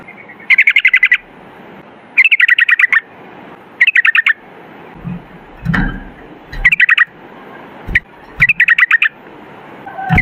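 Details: Sooty-headed bulbul 'ropel' song: several short bursts of quick, fluttering whistles, each under a second long, spaced by pauses filled with soft hiss and a few dull thumps.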